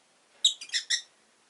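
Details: Rosy-faced lovebirds, five kept in a cage beside a window indoors: a quick run of four harsh, buzzy chirps, each sharp and broadband, tumbling out within about half a second.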